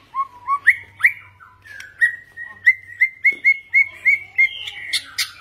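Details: White-rumped shama singing clear whistled phrases: low rising notes at first, then a long run of bright, evenly spaced whistles repeated about every third of a second, ending in higher buzzy flourishes.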